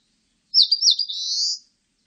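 An Eastern crowned warbler sings a single high phrase: a few quick sharp notes that run into a long, buzzy, slightly rising trill. The background is quiet.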